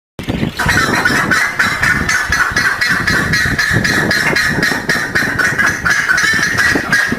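Buff-necked ibis giving loud, harsh, metallic honks, repeated rapidly about four times a second and overlapping as if from several birds, over a rumbling background.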